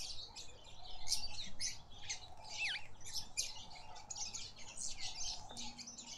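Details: Red-faced mousebird at a bird bath in a suburban garden in Pretoria, South Africa; busy high chirps and short twittering notes, with one clear descending whistled note, amid other bird chatter and low background hum.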